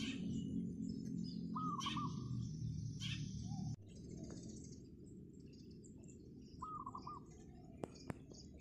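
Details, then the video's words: Wild zebra dove singing on a roof in the morning: two short, low, rolling cooing phrases of quick stuttered notes, about five seconds apart, over steady low rumbling noise and scattered high chirps of other birds. "GACOR!!! PERKUTUT LIAR DI ATAS GENTENG"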